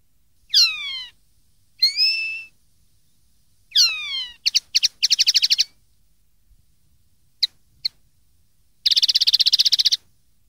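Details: Common linnet song recorded for tutoring young linnets to copy: descending whistled slurs, a clear whistle, quick chattering notes and a fast buzzy trill of rapid repeated pulses, all high-pitched, with short silent gaps between phrases.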